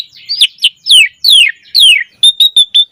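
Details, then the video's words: Black-collared starling lure song meant to prompt other starlings to sing. Five loud downward-slurred whistles are followed by five short, clipped high notes at an even pace. "Pancingan Jalak Suren Agar Burung Jalak Cepat Gacor Isian Mewah"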